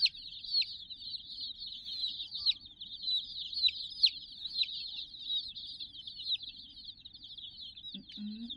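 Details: Dense chorus of many chicks, some sixty birds, chirping continuously in high, shrill peeps with frequent short downward slurs; a brief low sound near the end.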